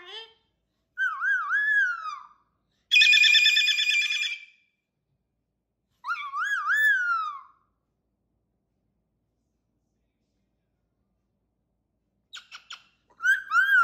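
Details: Pet cockatoo making wavering, up-and-down vocal calls and one loud harsh squawk, separated by long silent gaps.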